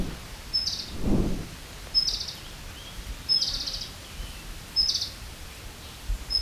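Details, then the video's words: Ultramarine Flycatcher giving a short, high, buzzy call with a sharp tick at the start, repeated about every second and a half, with a low thump and faint background noise. "Ultramarine Flycatcher"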